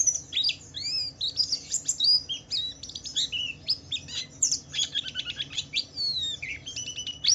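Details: Wiklus Wiksar Javan white-eye delivering a varied ngalas song to encourage other white-eyes to sing: rapid high twitters, trills and thin whistles mixed in a continuous, busy flow.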